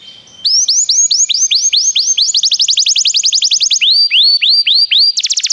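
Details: Canary song, played to encourage a canary to sing: after a brief quiet start, fast tours of repeated rising whistled notes roll in rapid series, shifting to lower slurred notes and ending in a quick high buzzy trill.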